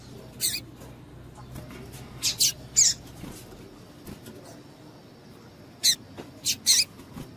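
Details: Female double-collared seedeater giving calls meant to excite males ahead of singing contests; scattered short high chirps in two bursts, a quick double note then a single one, with steady low hiss between.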